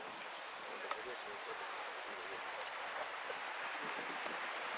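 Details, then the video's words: A Saffron Finch singing in the "repique" style at a song contest: high, thin, sharply descending notes, then a fast, even trill lasting about a second, against a quiet background. "Amarillo de Repique"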